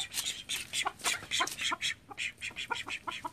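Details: Thirteen call ducks kept at home: a flock calling in quick, overlapping nasal quack bursts, bright and high, several birds answering one another, roughly four calls per second in uneven rhythm.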